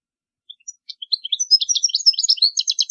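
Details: Goldfinch song used to teach young birds, from 2020: a few soft scattered chirps build into a fast, bright, liquid twitter that ends in quick repeated trilled notes, with a clean, quiet background.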